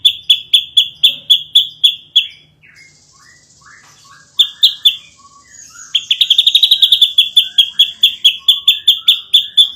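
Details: Masteran song of an ashy drongo, a champion's favourite. Quick high chip series open, then a brief pause with soft scratchy and slurred notes, before an even faster, denser burst of sharp ticks takes over.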